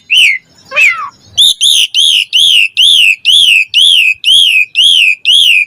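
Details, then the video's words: Asian pied starling song used as a lure to stir lazy starlings into singing: a few varied notes, then a steady series of loud whistled down-slurred notes about twice a second. "JALAK SUREN GACOR FULL ISIAN MOMPA AMPUH DIJADIKAN PANCINGAN JALAK SUREN MALAS BUNYI."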